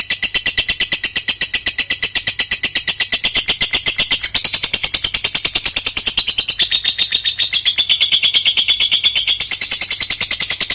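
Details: Lovebird singing at length, as prized in Indonesian songbird contests: nearly eleven seconds of unbroken, very fast shrill pulsed chatter, harsh and metallic, with slight pitch jumps at a few points, loud throughout.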